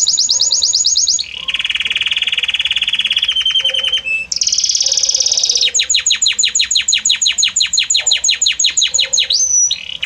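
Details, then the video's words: Belgian canary singing a harmonious song that moves gradually from note to note: high rolling trill, a lower buzzy trill, another bright trill, then a long series of rapid downward-sweeping whistles and a rising note. "Magnífico Como canta este Canário Belga!"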